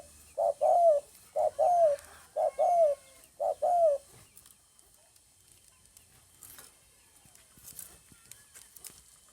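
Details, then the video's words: Spotted dove recorded 9 May 2020: four even two-part coos, each a short note then a longer falling one, about one per second, then quiet with faint distant noises. "tiếng chim cu gáy cực hay"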